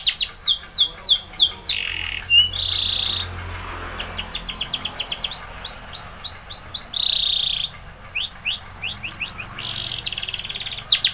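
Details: Spanish Timbrado canary training song, mixing fast falling trills, short buzzy rolls at one pitch, arched repeated notes and rapid clicking series, changing phrase every second or two.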